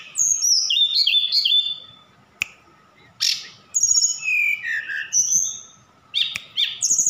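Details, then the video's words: From Sukabumi, Indonesia, a Javan bush lark sings mimicked phrases, including cililin and sikatan londo: clusters of quick high downslurred whistles, a click, then buzzy bursts and descending slurs, separated by short pauses, over a faint hum. "Tledekan Gunung Gacor Sukabumi"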